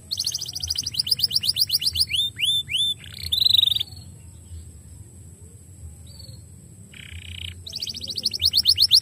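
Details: Canary singing, used to stimulate other canaries to sing: rapid repeated high notes, a series of descending sweeps and a brief harsh phrase, a quiet pause with scattered notes, then the fast trill returns.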